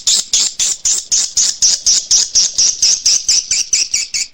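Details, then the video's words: High swiftlet chirps in the Kadita lure call used to attract birds to nest houses, repeated at a steady pace of about four per second, each note sharp then fading. "suara panggil SP. KADITA"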